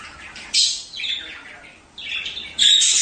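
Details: Budgerigar squawks and chatter meant to stimulate mating and egg-laying; a harsh burst at half a second, a buzzy warble after two seconds, then another loud raspy call closing the clip.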